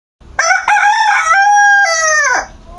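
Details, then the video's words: A rooster crows at about 5 a.m. on a cool, breezy early morning, repeatedly waking its owner, whose favourite it is: one full crow of about two seconds, a harsh opening, then a long, loud, level ringing note that breaks up and drops at the end. "মাশাল্লাহ মোরগের ডাকটা আমার কাছে খুবই প্রিয় কেননা এই মোরগটা আমার সব থেকে বেশি সুন্দরও লাগে এবং এর ডাকটা আমার কাছে খুব মধুর লাগে আরেকবার দেখি ডাকে কিনা"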